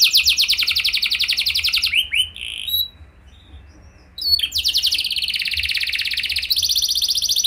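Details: Canary song intended as a lure for other canaries to join in: a dense rapid trill, short whistles, a quiet gap, then another long, very fast buzzy trill.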